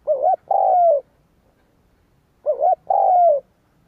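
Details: Spotted dove calling to attract wild doves: two identical phrases about two and a half seconds apart, each a bouncy double note followed by a long, smoothly descending coo.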